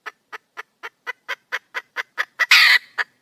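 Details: Female junglefowl calling to attract a male: evenly spaced clucking notes, about four each second, growing louder into a loud grating squawk, then a single closing cluck.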